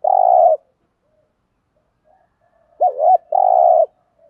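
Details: Spotted dove lure coo for stimulating captive males: the tail of a long buzzy coo, a quiet pause of over two seconds, then a complete phrase of a wobbly double note and a held burry coo.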